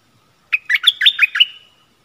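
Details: Caged Stripe-throated bulbul calling wild birds on 1 April 2021, the wild birds coming near but not descending, likely tending young; a single rapid run of rich, liquid warbled notes lasting about a second.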